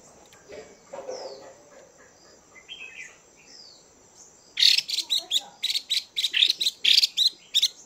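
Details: A female Chinese hwamei's chùi call, used to excite males: after several quiet seconds with faint background sounds, a fast run of about a dozen loud, clipped high chirps follows.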